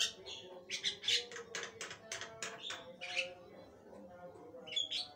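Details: Lively Javan myna song (gacor) made of rapid harsh rasping notes and squeaky whistles, strongest in the first three seconds, then a quieter spell with a faint low hum underneath.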